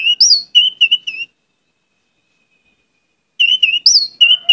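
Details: Orange-headed thrush singing gacor for use as a lure, with clear whistled phrases of three to four steady notes, a pause of about two seconds, then a similar phrase.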